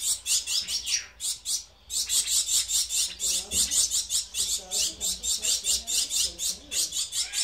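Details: Gouldian finches kept as breeding birds, giving high, bright chirping notes in rapid rhythmic bursts of about three per second, with softer lower twittering in the background.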